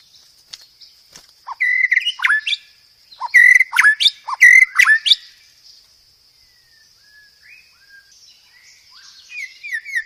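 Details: White-rumped shama master song used to train cage birds to sing often with many varied fill-in phrases: loud bursts of rich whistled and chattering notes mid-clip, then softer scattered phrases, over a steady high-pitched hum.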